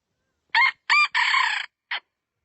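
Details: Rooster crowing: a loud, harsh cock-a-doodle-doo broken into two short opening bursts, a longer rasping middle note and a brief final note, against silence.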